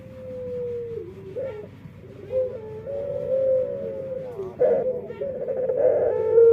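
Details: Dove with a peculiar voice: a long, smooth note that slowly dips, then several drawn-out wavering tones and a rougher burst, ending on a clear held note.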